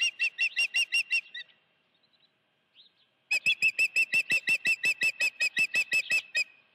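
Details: Osprey at its nest at Dunrovin Ranch with a live fish, 16 June 2019, mid-afternoon: a fast run of about eight sharp, high whistled chirps, a brief quiet gap with faint notes, then a longer burst of roughly sixteen evenly spaced chirps.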